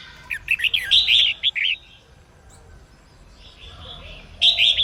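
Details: Female red-whiskered bulbul singing to provoke male song; a busy burst of jumbled whistled, warbling notes, a quiet pause with faint twittering, then another loud phrase.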